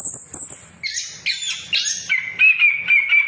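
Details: Short burst of orange-headed thrush song played as a lure for non-singing birds: a thin high whistle, then rough chattering notes, ending in a clear steady whistled tone repeated in pulses.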